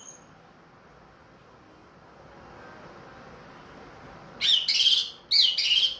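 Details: Ring-bred orange-headed thrush kept in a cage, singing steadily again after its moult: after a quiet stretch, two dense bursts of rich, warbling high notes close together.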